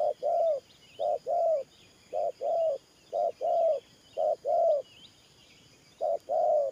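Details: Decoy spotted dove used in ground trapping gives 'thổ pha nước' style coos: a brief note followed by a longer mellow one, pairs repeated roughly every second, faint thin bird chirps in the background.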